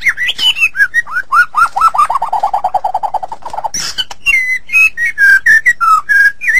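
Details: Training recording of white-rumped shama song for songbirds: varied whistles leading into a long, fast, even trill of mellow notes, a harsh squeal, then clear rising and falling whistled phrases.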